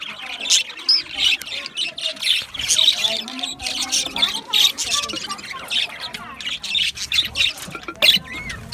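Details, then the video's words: A flock of budgies in an aviary, busy and loud, keeps up constant overlapping chirping and scratchy squawks, with occasional clearer rising whistled notes standing out. "Budgie chirping sound | Budgie parakeet singing | Budgie aviary sound"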